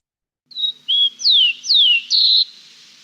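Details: Rufous-collared Sparrow (chincol) song in Chile: a few clear, high whistles, two slurring sharply downward, ending in a brief buzzy note, all in about two seconds.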